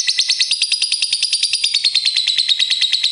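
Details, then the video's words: Lovebird master bird giving a fast, continuous rattling trill of buzzy pulses, about three per second, steady in pitch throughout. "Master lovebird 100% ngakak gacor"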